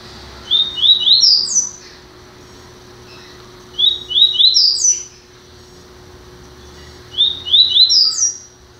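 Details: Double-collared seedeater, newly acquired, repeats the same brief song three times about every three seconds: a quick run of rising whistled notes climbing to a high slurred finish, steady background hum.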